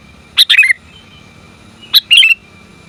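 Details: Female sooty-headed bulbul calling the male, recorded as a lure and training call: two short bursts of bright, harsh chirps about one and a half seconds apart over quiet background.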